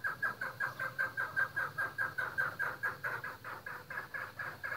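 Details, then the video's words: Chukar partridge on a breeding farm, a rapid run of short, clipped chuk notes, about two and a half per second and evenly spaced, with a soft low hum underneath. "Chakor breading farm"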